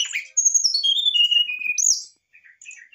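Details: Brown-chested jungle flycatcher singing in an excited state, used to provoke a response from other birds: clear high whistled notes sliding downward in a falling series, then a sharp upslurred whistle and a few soft chirps.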